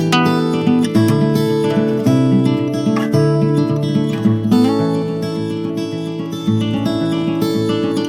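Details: Strummed acoustic guitar music plays throughout.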